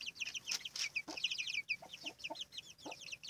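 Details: Chicks beside their mother hen: bright, high peeping notes in quick runs, falling in pitch, accompanied by several low, short clucks.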